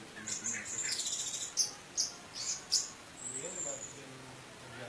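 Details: Lure song of an Indonesian orange-headed thrush in 'teler' style with rich fill, for provoking non-singing birds; a high thin twittering run, then three loud sharp notes about half a second apart and a long high whistle.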